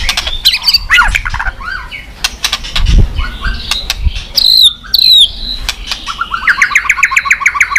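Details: White-rumped shama singing with tail-flicking, a recording meant to make other shamas sing fast; varied whistles and chatter, dull thumps midway, ending in a rapid run of repeated bright rising notes.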